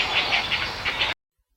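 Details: Young Great Blue Heron chicks clack their bills at a rookery in Virginia or the Carolinas: rapid, dry clacking bursts, about six in one second, over a steady hiss of background noise.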